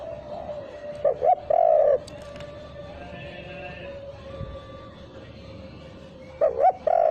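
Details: Lure recording of a spotted dove, phrase lacking the 'kuk' ending: paired mellow coos, a short note then a longer drawn one, repeated after a pause, over a steady faint tone.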